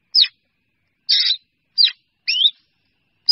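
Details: Short sequence from a black drongo calling together its flock: a thin downslurred squeak, a broad wheezy rasp, a descending squeal and a buzzy note with a rising whistle, tightly spaced.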